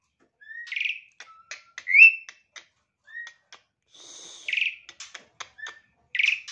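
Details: Morning bird song of sweet, rising whistled phrases mixed with crisp ticking notes and a short, high buzzy burst in the middle, fairly loud and close.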